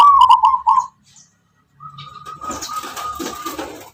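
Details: Zebra dove of the local wild Tuban lineage, known for a rhythmic, melodic voice: a rapid run of pulsing coos opens, followed by silence, then a steady tone and broad hissing, clattering noise.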